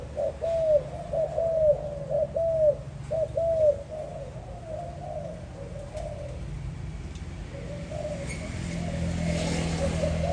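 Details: Spotted dove, 2021 recording: a run of clear, mellow coos about a second apart, loud at first, then fading into quieter, more distant cooing, with a faint low hum behind.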